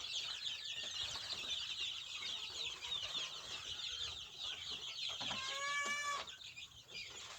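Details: Village chickens in a noisy group: steady high, twittering peeps overlap throughout, and near the end one bird gives a clear, rich, drawn-out squawk that rises slightly before the chatter resumes.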